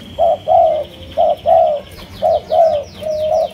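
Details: Spotted dove, one of several Malaysian lines, coos in clear alternating short and long mellow notes at an even pace, accompanied from midway by quick high chirping from another bird.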